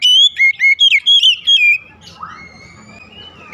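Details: In the morning an Oriental magpie-robin gives six rapid, loud whistled notes in under two seconds, followed by quiet with a faint, drawn-out rising whistle in the background.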